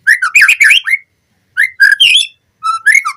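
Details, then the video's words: White-rumped shama song played as a lure to train captive birds: bursts of loud whistled and chattering phrases, rising and falling notes, separated by short pauses. "Pancingan Murai Batu Cepat BONGKAR ISIAN Buat Masteran Suara Burung Murai Agar Gacor Full Isian"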